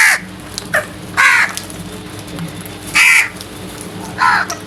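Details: Early-morning crows cawing loudly: four rasping, drawn-out caws, each roughly a third of a second, spaced about a second apart over steady low background noise.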